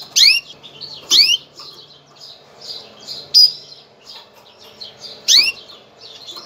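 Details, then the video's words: Female canary giving a mating call to prepare males for breeding: loud, sharp chirps sweeping steeply downward, about four in six seconds, with soft twittering between them. "انثى الكناري, نداء التزاوج, لتجهيز الذكور"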